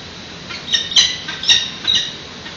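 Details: Peregrine chicks calling while fed at a San Francisco nest on a June 2017 morning, via a live webcam. A handful of short, grating squawks with whistled overtones come in a loose cluster, then fade into hiss.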